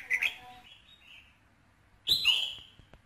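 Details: Red-whiskered bulbul song meant to fire up a male bird: a short double chirp opens, a faint warble follows, then a loud ringing burst that falls away in pitch.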